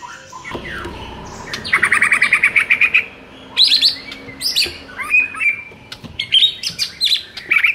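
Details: Master song of a white-rumped shama used to boost the mood of a caged bird that rarely sings: a rapid buzzy trill, then loud varied whistles, slurred notes and short chattering phrases.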